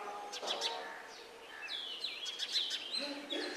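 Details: Brahminy myna attacking house sparrows at their nest; a busy jumble of varied whistled, chattering and harsh notes, some sliding, at middle to high pitch, over soft background noise.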